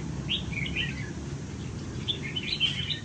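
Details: Caged red-whiskered bulbul of the Huế strain, kept in a golden cage, giving short bright chirped phrases in two bursts over steady low background hum.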